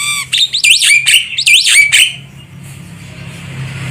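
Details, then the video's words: Javan myna calling, recorded for luring birds during trapping: a burst of loud, squeaky notes that rise and fall, mixed with harsh squawks, packed into under two seconds, then fading to a steady low hum. "Suara burung jalak kebo untuk pikat"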